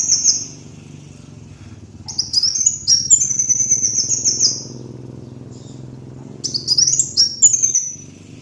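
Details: Kolibri wulung sunbird master lure song: a brief high trill, a pause, then long shrill twittering trills, another pause and a final burst of sweeping high notes, over a low constant hum.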